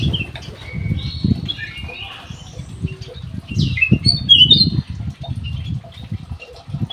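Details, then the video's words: Black-headed bulbul in an aviary giving scattered clear whistled slurs and short sharp notes, louder near the middle, over low thuds and rustling. "KUTILANG EMAS GACOR"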